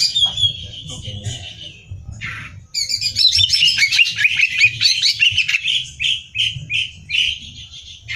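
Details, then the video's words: Competition-trained greater green leafbird, caged, in hyperactive song for training: opening whistles, then a long run of fast chattering notes, settling into evenly repeated short whistled phrases. "Cucak Hijau Gacor Hiper Ampuh Buat Bahan Lomba"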